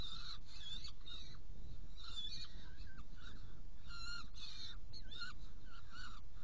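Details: Saker falcon, Hungary, 16 June 2018 at 18:57, while delivering prey and feeding two young: irregular, uneven bursts of harsh nasal calls, some notes bending downward, set against a steady low-frequency rumble.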